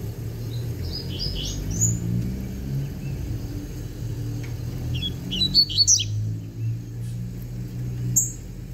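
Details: Novice double-collared seedeater, a young bird, giving short high chirpy phrases spaced several seconds apart against steady low traffic hum.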